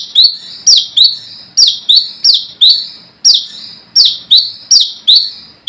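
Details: Brown-throated sunbird, wild-caught, calling rivals for luring: repeated piercing chirps sliding down in pitch, in clusters of two or three with short breaks.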